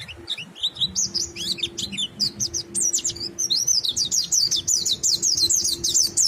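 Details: Ngalas song of a monty bird, sung to stimulate other birds to join in: a few scattered high chirps, then an unbroken stream of fast, high, zigzag whistled notes. A steady faint low hum runs underneath.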